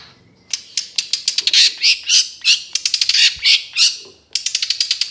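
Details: Trotol-type Long-tailed Shrike song used as a training recording for other shrikes: dense, harsh, rapid chattering with loud scratchy squawks and buzzy bursts, broken by a brief pause before the chatter resumes.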